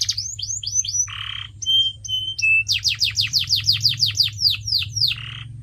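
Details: A canary sings as training material for pet birds: falling chirps, a short harsh buzz, thin level whistles, then a long series of sharp descending notes ending in another buzz, low hum underneath.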